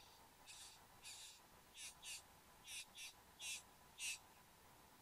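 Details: At the bower in Australia, 15 November 2014, 9:05 am, a satin bowerbird pair, male and female, recorded by camera: rapid run of short, harsh, high buzzing bursts, often in pairs, growing louder toward the end, over a low hum.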